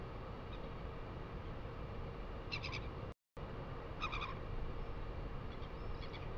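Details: Northern Royal Albatross chick on its nest at Pukekura/Taiaroa Head, 4 February 2020, perking up to be fed by its mother, gives three short, bright trilling bursts about every one and a half seconds over steady wind roar.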